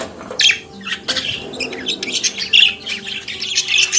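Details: Budgerigar, an Australian parakeet kept as a pet, singing and chattering: rapid bursts of scratchy, warbled and squeaky notes in quick irregular runs, with short pauses between phrases and a faint low hum behind.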